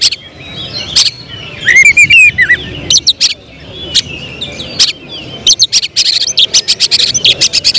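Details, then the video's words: Oriental magpie-robin singing in a cage ahead of contests: a falling whistled trill, then fast, evenly spaced sharp chattering bursts that speed up toward the end, over low background noise. "Emosi berubah menjadi tembakan di menit menit genting, Kacer bakalan prospek lomba"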